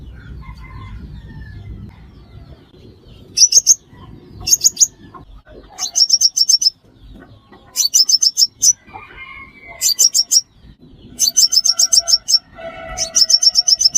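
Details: Sunbird, called five-coloured locally, with calls used to lure birds into traps. Repeated trains of fast, high, ticking chirps, four to seven notes per burst, come at short irregular intervals. Faint lower chatter is mixed in.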